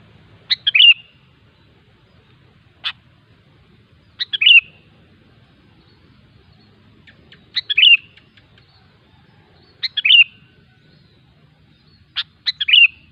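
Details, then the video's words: Wild sooty-headed bulbul song: short bubbly, liquid phrases of a few quick whistled notes, repeated about every three to four seconds with silent gaps, clean background. "suara burung kutilang ASLI ALAM LIAR"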